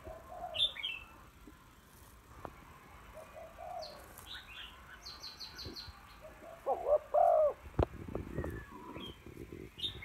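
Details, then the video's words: Female spotted dove cooing to call and stimulate a male: soft, low hollow coos, loudest near the middle, mixed with bright chirps and high twittering from other small birds. "tiếng cu gáy mái kích trống hay"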